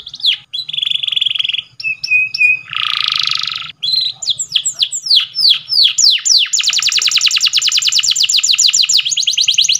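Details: Powerful canary training song with varied phrases: a buzzy trill, short whistles, a harsh rasping burst, a run of downslurred notes, then a long rapid rolling trill to the end.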